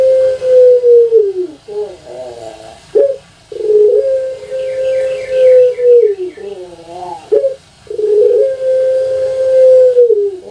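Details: Captive long-voiced puter pelung dove of Java, Indonesia, repeating three sustained hollow coos, each ending with a downward slide and a rolling, gurgling kwok phrase between them.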